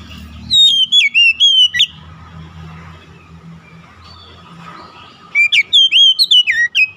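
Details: Oriental magpie-robin song used as therapy for a stressed bird: two bursts of loud, clear whistled notes sliding up and down, separated by a quiet gap of about three and a half seconds with faint low background hum.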